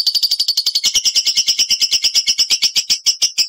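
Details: Nonstop, piercing chatter from a caged lovebird, a steady run of sharp high pulses about three per second, the ngekek song used as a lure for other lovebirds.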